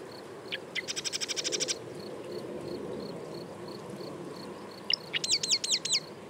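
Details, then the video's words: Marsh wren giving two songs: each opens with sharp notes and runs into a rapid rattling trill, the second made of looping, gurgling repeated notes; a faint high steady tone persists between them. "Marsh Wren - Song & Call"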